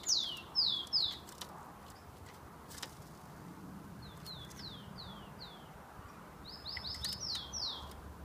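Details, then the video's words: Rufous-collared sparrow kept by a breeder in São Paulo, Brazil, filmed 27 September 2015, singing a lot: fairly faint clear whistled notes, several slurred downward, in short phrases repeated three times over steady background hiss. "Tico Tico JK cantando muito"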